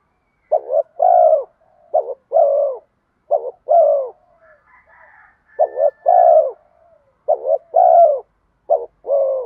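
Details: Decoy spotted dove cooing in the 'giọng đồng' style to draw wild doves in. Paired phrases of a quick broken note then a drawn-out, slightly falling coo, repeated about every one and a half seconds. Soft higher chirps appear in the middle.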